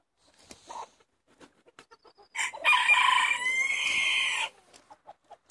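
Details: Chickens from a flock of 70 released for the day in Longford, Ireland, on 25 February 2016: soft scattered clucks, then a loud, sustained, harmonic rooster crow lasting about two seconds, then more soft clucks.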